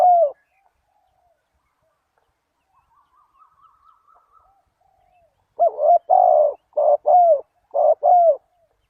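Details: Lure call of a spotted dove for attracting wild doves: one coo, then a soft, faint trill, then a quick burst of paired, hollow, slightly falling coos, about one per second.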